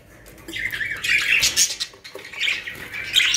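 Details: Caged budgerigars in a home collection in Pakistan give busy, scratchy chattering and warbled squawks that rise and fall in bursts, with short squeaky notes overlapping throughout.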